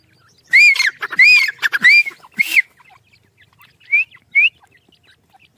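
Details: Black francolin chicks fighting, giving loud arched whistled squeals in a rapid burst of four, then two shorter upslurred calls after a pause; a person laughs and hushes nearby.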